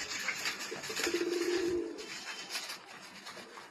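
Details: Pakistani Sialkoti pigeon pair indoors; a single low, level coo lasting close to a second sits amid quiet background rustle and scattered clicks.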